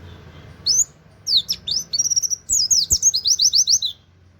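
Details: Oriental white-eye in 'nembak' style with canary-like 'wit wit' notes, used as a training master: a few sharp high chirps, then a fast run of about fifteen bright, high, downslurred notes over a faint low hum.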